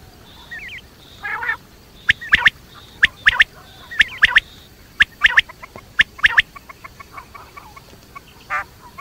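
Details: Quail calling at night with scattered sharp ticking notes and short grating phrases, irregular and mostly in pairs, over a quiet background.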